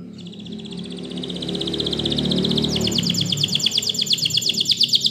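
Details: Spanish Timbrado canary training song: a high, rapid trill that speeds into a louder, pulsing series of rising notes in its second half, over a steady low hum.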